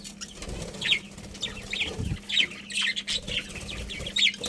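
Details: Budgerigars in a colony give quiet, scattered high chirps and short twitters over a steady low hum, with faint rustling between calls.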